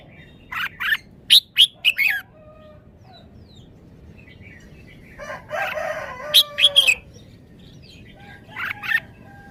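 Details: Red-whiskered bulbul, a caged Thai songbird, performing its wild-style song: clusters of sharp whistled notes, a fuller chattering warble in the middle, then more short bright notes, over low steady background hiss.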